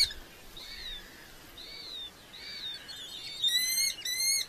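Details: Red-footed falcon at a nest in Polgár, Hungary, recorded on a nest camera: thin, high whistled notes that fall slightly, about one a second, then a burst of shrill, harsh chattering calls near the end.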